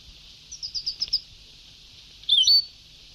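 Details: European goldfinch on an old Sebtaoui song tape: a soft rapid series of six thin high notes, then, after a pause, one loud bright slurred phrase, with tape hiss behind.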